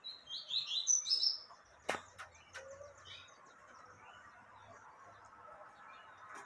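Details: Female yellow-bellied seedeater calling to stimulate a male: a tight burst of high, thin, buzzy chips packed into the first second. A few sharp clicks follow over a steady low background hiss.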